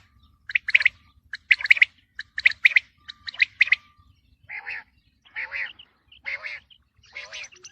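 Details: Female common quail call, for the coming wheat season: sharp triple chirps repeated about once a second, then rougher, buzzier notes at the same pace toward the end.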